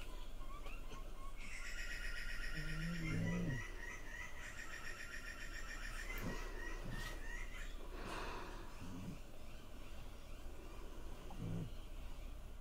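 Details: Juvenile Grey Butcherbird struggling to swallow an oversized cicada, giving noisy 'feed me' squawks: two bursts of rapid, harsh, buzzy notes with stacked overtones, about two seconds each, separated by a short pause, over steady background hum.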